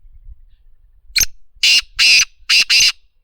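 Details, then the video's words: Black francolin giving its rasping call: one brief clipped note, then four harsh, scratchy bursts in quick succession over a silent background. "Kala Teeter voice Black Frincloin Partridge original Sound"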